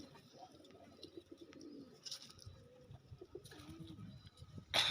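A racing pigeon coos in low, soft, rolling notes, with a person talking nearby.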